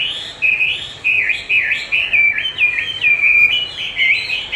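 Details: Chinese hwamei answering playback of its own song in a training session: rich whistled phrases, wavering and slurring up and down, delivered almost continuously and loudly.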